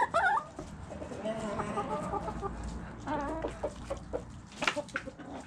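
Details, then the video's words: Chickens pecking while eating, with a sharp squawk at the start, then soft harmonic clucks and murmurs over a steady patter of beak taps. "Chickens Eating Pecking Sounds Noises"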